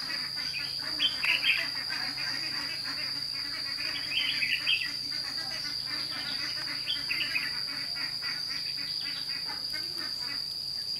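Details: Red-whiskered bulbul, a caged lure bird used in a trap at Thanh Liêm on 29 May 2016 to call wild birds: short warbled phrases at about one, four and seven seconds over a steady, high insect drone.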